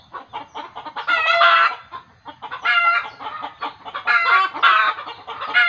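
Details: Chicken in alarm, which village tradition says means it is seeing a ghost: soft rhythmic clucks rising into several loud, raspy cackling squawks in pairs.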